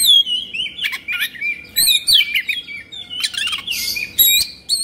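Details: Agitated Oriental magpie-robin (kacer emosi) spreading its tail, giving quick whistled flourishes, downward slurs and sharp chips interspersed with rasping bursts at an irregular pace.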